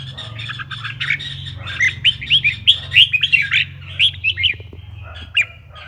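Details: Red-whiskered bulbul song used to provoke other bulbuls into singing: rapid bursts of bright, slurred whistled notes, rising and falling, delivered in a lively string for about four seconds, then sparse single notes, over a steady low hum.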